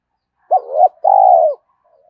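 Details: Spotted dove coo used to stir decoy birds into calling fast: a single phrase of a short note, a rising drawn note, then a long steady coo that sags at the end, clean and close.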